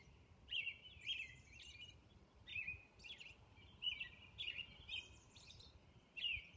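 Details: An American robin sings its dawn song on Orcas Island, carolling in short whistled phrases that rise and fall around a mid-high pitch, with thin squeaky notes mixed in and a soft background hiss.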